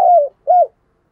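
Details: Decoy spotted dove calling to draw in wild doves. Two low coos: a longer, gently falling note, a short pause, then a brief arched coo.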